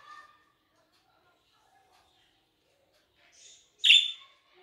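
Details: Budgerigars in a garden: a budgerigar gives a loud, harsh chirp near the end, preceded by faint warbling chatter and a brief squeaky note at the start.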